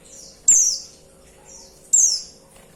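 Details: Female white-eye call to attract the male: two loud, shrill, downward-sliding notes about one and a half seconds apart, each preceded by a fainter high slur.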